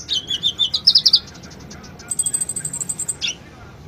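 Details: Sunbird song used to stir a quiet bird into singing: a fast wavering twitter of high notes, then a very high thin buzzy trill ending in a downward slur.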